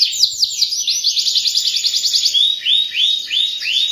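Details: Canary song used as a training recording for young canaries to learn from: a continuous run of fast, sweeping whistled trills, rapid repeated downslurred notes rolling together, then slower looping upward-curving whistles at the end.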